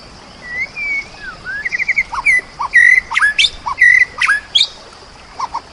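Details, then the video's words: White-rumped shama, a champion singer, over rain sounds: clear whistled phrases, some rising and some falling, with short trills and sharp high notes spaced irregularly over a steady hiss. "TERAPI MURAI BATU JAWARA"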